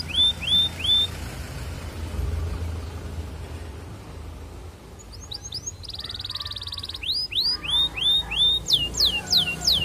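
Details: Canary song for courting a female, used as a lure for other canaries: three short rising whistles, a quiet pause, then falling sweeps, a buzzy roll and repeated loud downward sweeps at the end.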